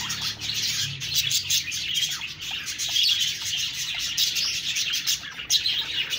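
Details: Continuous budgerigar chatter, many high squeaky chirps and warbles overlapping, with a brief low rumble near the start.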